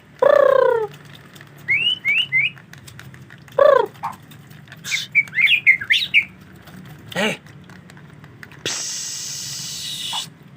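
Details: White-rumped shama singing in the rainy season around bathing time: rising and falling whistled phrases, clipped chirps and harsh notes, then a burst of hissing splash-like noise.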